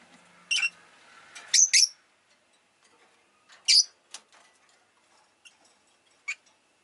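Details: Rosy-faced lovebird (Agapornis roseicollis) kept as a pet, giving sharp, high broadband chirps: a single chirp, then a quick double, another near the middle, and a last short one, with quiet gaps between.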